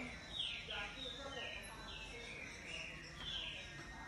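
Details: Green-winged saltator singing very loudly: a quick series of loud, clear whistled notes, each sliding or arching downward, repeated over about four seconds, with a faint steady hum underneath.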